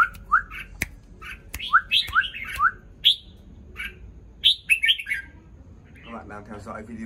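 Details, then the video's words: Newly moulted red-whiskered bulbul in a morning burst of rising, whistled upslurred notes and quick warbled phrases, some sharp clicks between them; a human voice starts speaking at the end. "Chào mào lông ống mới chào buổi sáng cả nhà"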